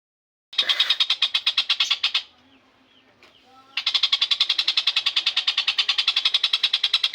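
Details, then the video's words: Kingfisher in full voice with a long rolling song: a rapid series of sharp, evenly repeated notes, briefly pausing with faint room noise before resuming an extended steady rattle. "TENGKEK BUTO gacor roll panjang!!"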